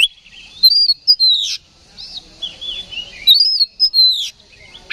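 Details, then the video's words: Oriental magpie-robin, provoked toward fighting by a lure recording, delivers two bursts of loud whistled phrases with rising and falling slurs and harsh rasping notes, separated by a quieter stretch of soft warbling. "KACER GACOR NGEPLONG TARUNG !! PANCINGAN KACER PALING AMPUH BUAT MENAIKAN EMOSI KACER AUTO RESPON"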